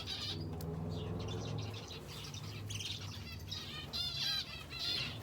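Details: Aviary finches housed with a canary chirp busily, with rapid bursts of high twittering notes over a constant low mechanical hum.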